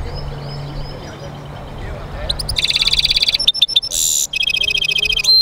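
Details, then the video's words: Caged European goldfinch mule singing: after quiet low hum, rapid buzzy trills and repeated metallic rattling notes, with a brief harsh high burst and sharp chips between phrases. "European Goldfinch mule singing"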